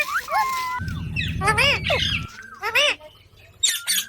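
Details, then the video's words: Parrot squawking in loud, harsh rising bursts, preceded by a thin whistled note, with a strong low droning hum through the first half. "Parrot Natural Sounds Compilation | Parrot Talking Videos/ Voice|Mitthu ki awaaz|Parrot ki awaaz"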